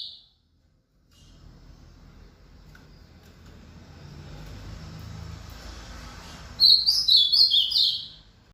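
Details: Rally song from an ultramarine grosbeak after an outing: a long quiet stretch, then a single rapid phrase of high, clear whistles that rise and fall over about a second and a half.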